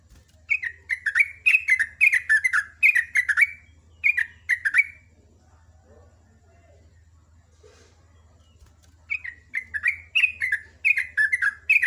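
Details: Sooty-headed bulbul in full morning song, in the rapid ropel ngecruk style: bright, bubbly whistled phrases of quick falling notes, delivered in two long bursts with a quiet pause between, over a steady low hum.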